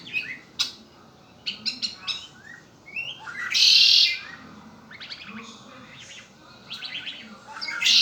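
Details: Pet red-winged blackbird: clicking chirps build up to a loud buzzy trill midway, then more scattered chirps, with a second buzzy burst starting right at the end.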